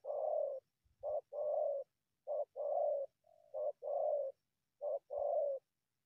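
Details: A wild spotted dove that keeps coming from the bushes to strike at a decoy gives steady low cooing: three short-then-long paired phrases, about one every second and a half, with a faint soft note between.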